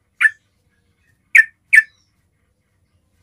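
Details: Basic calling sound for luring bulbuls, Yellow-vented bulbul: a few sharp, short chirps, one then a closely spaced pair, with long silent gaps between.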